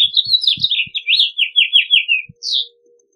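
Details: Rapid string of slurred, downward-sweeping whistled notes from a House Finch, tumbling in a steady series for over two seconds, a separate final note after a brief gap, with soft low thumps underneath.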